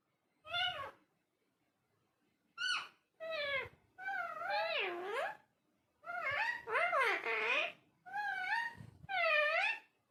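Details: Parrot talking in wobbling, speech-like syllables that dip and rise in pitch, given in short groups with pauses between them.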